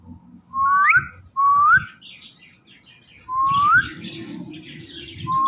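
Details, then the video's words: Tame ring-necked parrot, a talking bird, giving clear rising whistles, two close together and a third after a pause, with a person repeating words and soft background noise. "Ring Neck Talking Parrot |بولنے والے پیرٹ"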